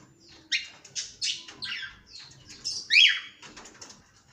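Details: Cockatiel giving sharp, high squeaky chirps in quick separate bursts about every half second, one louder rising squeal near the end, over a faint low background hum.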